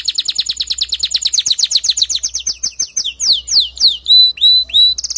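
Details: Male canary singing for a female to start building her nest: quick repeated chirps speed into a rapid trill, followed by slower descending swoops, clear level whistles and a closing buzzy roll.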